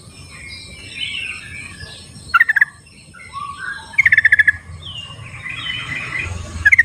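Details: Wild sooty-headed bulbul singing in the wild: three quick bursts of rapid bubbly repeated notes, each about half a second, spaced a couple of seconds apart, over soft chatter from other birds and low rumbling background noise.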